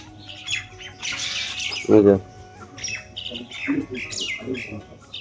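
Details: A common myna chick, newly brought to a home where its parents are nearby, gives harsh, scratchy squawks and thin high chirps in short bursts, with a person talking loudly nearby in a small room.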